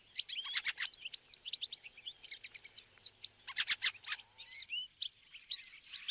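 A Fieldfare gives a jumble of harsh, squeaky chattering notes and thin high whistles, in quick irregular bursts with short pauses between.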